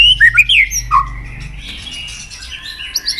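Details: White-rumped shama song used to stimulate a bird to sing more and flick its tail: a few quick whistled notes and a low slurred whistle, followed by a softer noisy, scratchy stretch.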